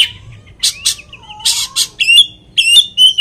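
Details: Lure song of an Oriental magpie-robin meant to agitate another of its kind. A long gliding whistle under harsh bursts, then bright ringing notes with overtones, repeated twice.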